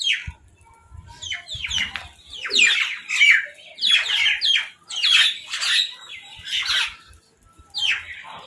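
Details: Crows fighting over food while eating: a rapid run of harsh, downward-slurred squawks, some overlapping, with brief pauses, plus soft low thumps at the start.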